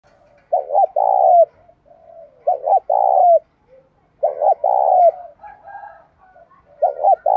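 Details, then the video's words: Cooing of a spotted dove in the 'bài bản bổi' pattern, meant to make idle caged doves start cooing: mellow, low phrases repeated about every two seconds, each a clipped double note followed by a drawn-out, purring coo. "cu gáy bài bản bổi nghe khó đỡ nhất hiện nay, khó mấy cũng phải gáy theo"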